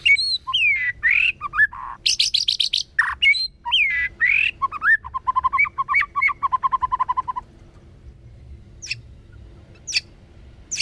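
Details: White-rumped shama singing in wild forest style, used to stir up young birds: loud varied whistles, rising and falling slurs, bright high chips, then a fast run of repeated mid notes, fading to two sharp high ticks.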